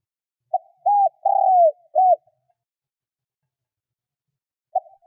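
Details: Kept spotted dove cooing as a lure for wild birds: one full low phrase of soft lead note, arched coo, long falling croo and short closing coo, then the start of another phrase and a click at the end.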